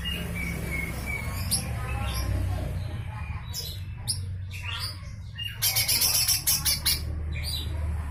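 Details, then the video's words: Lesser green leafbird in a harsh, rough besetan-style full song, used as filler material for training white-rumped shamas and oriental magpie-robins; scattered sharp high notes, then a dense burst of buzzy, rapid chattering over a steady low hum. "Full besetan kasar suara cucak hijau mini"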